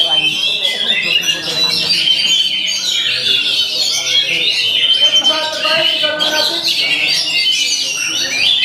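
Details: Oriental magpie-robin (kacer) singing a continuous, dense stream of high whistles, trills and chattering phrases that barely pause across the whole stretch, with lower murmuring, possibly human voices, underneath.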